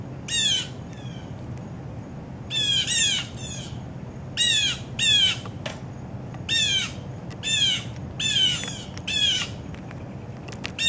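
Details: At a breakfast feeder, a Blue Jay gives harsh, downslurred screams in short bursts every second or so, imitating a hawk (said to be a Red-shouldered Hawk) over a faint low outdoor rumble.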